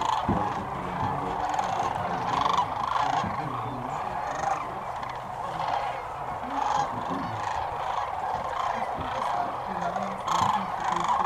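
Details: Hundreds of thousands of sandhill cranes on migration, heard at dusk from a blind by the Platte River in Nebraska: a sustained, pulsing din of rolling bugle calls with louder swells every few seconds.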